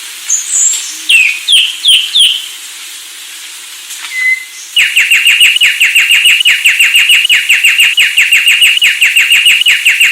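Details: Sulawesi myna singing: a few high whistles and downslurred notes, a short pause, then a long, fast series of loud, similar downslurred whistled notes repeated several times a second to the end.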